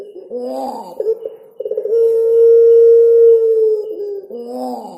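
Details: Puter pelung collared dove giving a coo with cengkok ornamentation: a stuttering burst of pulses leads into a long, steady, hollow hum that fades out, with wavering, moan-like notes before and after.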